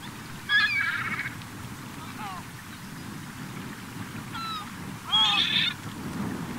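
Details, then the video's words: Gulls flocking together at the end of summer on a beach in the Cotentin, France, on 7 September 2024; loud harsh calls with a long laughing series near the end, a few softer calls between, over steady surf. "Mouettes et Goélands/Regroupement/Fin d'Été !"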